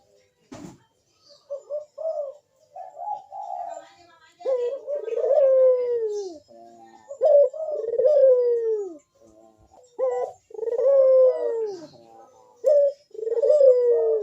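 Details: Spotted dove, a kept bird used to lure others into calling, cooing in series: short rising notes lead into long low falling coos, phrase repeated a few times, faint clicks and room noise.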